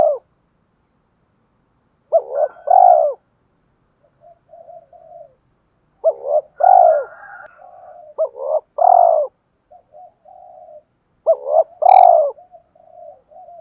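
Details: Spotted dove cooing in the calling and fight-urging style: four loud, deep coo phrases spaced about three seconds apart, with quiet, wavering coos between them and a brief sharp click near the end.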